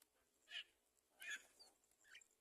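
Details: Great myna feeding young at the nest: three short, harsh, scratchy call bursts spaced about a second apart, with faint background hiss.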